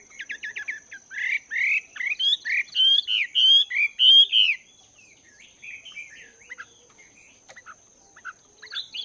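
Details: Caged Chinese hwamei two months into cage life, training its voice in the morning: a fast stutter of notes building into loud, repeated swooping whistles, then quieter scattered phrases.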